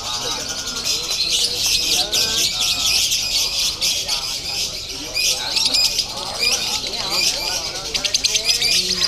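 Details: At a singing contest in Bandung, a lovebird delivers dense konslet chatter, a continuous harsh high twittering with squeaky accents, over steady background talk from spectators.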